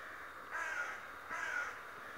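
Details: A talking raven said to spy daily gives a pair of rough, grating caws about three quarters of a second apart over steady hiss.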